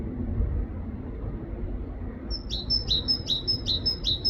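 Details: Great tit singing in a UK forest: a bright, high two-note phrase, high then lower, repeated quickly about five times, over a steady low rumble of distant traffic.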